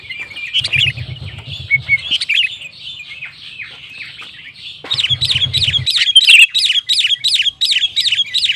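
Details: Sooty-headed bulbul (kutilang) singing gacor to provoke other bulbuls into singing: rapid runs of repeated bouncy notes, about three per second, growing louder and faster in the second half.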